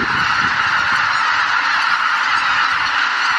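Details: Greater white-fronted geese, a flock exceeding 83,000, leaving their roost at dawn at Miyajimanuma marsh on 23 April 2017; loud, seamless chorus of honking from countless birds filling the whole stretch.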